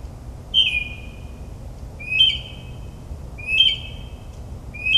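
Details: Northern mockingbird singing at midnight in suburban New Jersey, a mimic of other birds: clear whistled notes that drop then level off, repeated about every one and a half seconds over a low background hum.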